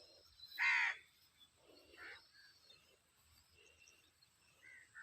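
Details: Birds in a village in summer: one loud, harsh, cawing note near the start, then softer, scattered calls. Steady insect chirping sounds throughout.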